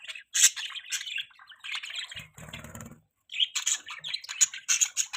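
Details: Pet budgies chirping in a mating call: sharp squeaky notes and bubbling warbles, broken by a rustling, flutter-like noise midway and a short silence before the chatter resumes.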